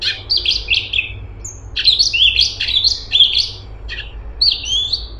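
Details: Cucak cungkok bulbul song: repeated high slurred whistles and chirps in tight clusters, loud and lively, with brief gaps between phrases and a low steady hum behind.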